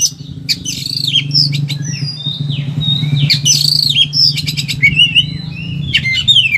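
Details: Excited Oriental magpie-robin (kacer) delivering varied song meant for training or stimulating quiet birds: looping whistles, long slurred tones and clicking chatters, set against a continuous low engine-like rumble.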